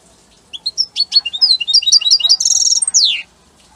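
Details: European goldfinch described as Italian, giving a strong, beautiful song: a rapid burst of high twittering and tinkling notes, with a buzzy trill and a long descending slurred note near the end, then silence.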